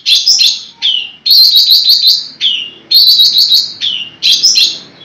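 Long-tailed shrike singing loud, harsh, chattering phrases in bursts of about a second, with scratchy high notes and brief falling slurs between them.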